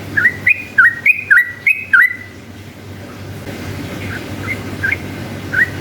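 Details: Yellow-vented bulbul giving a long ropel song to draw rival bulbuls into answering: a brisk string of about eight loud whistled notes that dip then jump upward, then quieter scattered whistles over a steady low hum.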